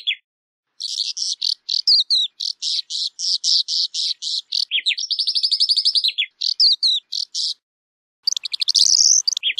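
A Calandra lark pours out a fast, unbroken song of high, scratchy chirps and rattling trills, with a brief pause before a burst of mimicked notes.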